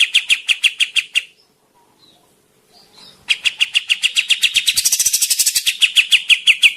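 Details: Javan grey-cheeked bulbul singing energetically: a brisk chain of harsh chattering notes, a pause of about two seconds, then a longer, denser run of scratchy pulses that speeds up toward the end.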